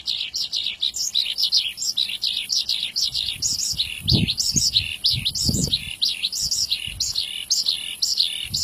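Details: Horsfield's bush lark in a prolonged song to build excitement: fast high-pitched chirping and trilling runs on continuously, while low thumping knocks sound in the middle part.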